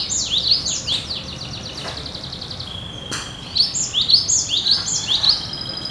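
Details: Cinereous tit in full gacor nagen song, sounding as in the wild: rapid high upslurred whistles in repeated two-note phrases, a pause with a short steady tone, then the phrase resumes about twice a second.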